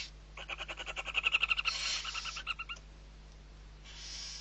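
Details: Barn owls at Riet Vell reserve, Ebro Delta, Spain, 21 November 2023, during feeding of six owlets: a fast chittering run of about four notes per second for two seconds, then a soft hiss at the end.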